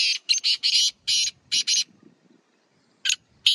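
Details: Black francolin of a Sheedi Chinga cross, kept in a village: loud, rasping, buzzy notes in a quick run of about six, then two more after a pause.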